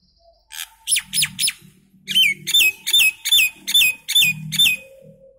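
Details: Common myna song made of clear whistled notes that slide downward, first in a quick group of three, then a steady series of similar whistles roughly every half second.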